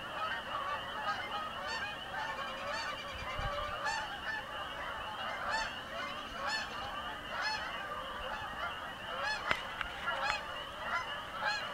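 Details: Canada geese passing overhead above a home, a dense chorus of overlapping honks and yelps from many birds, with one sharp click partway through.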